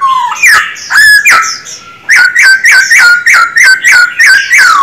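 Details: Male Black-throated Laughingthrush in captivity, trained daily to sing. Loud falling whistles open into a fast, even series of rising-and-dipping notes, about three per second.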